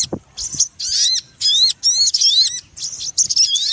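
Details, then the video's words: Sogon ontong call used to lure birds for trapping, said to be very noisy and effective: repeated short bursts of sharp, high, arching chirps with small gaps and a low thump at the start. "Suara pikat burung sogon ontong paling ribut dan ampuhh!"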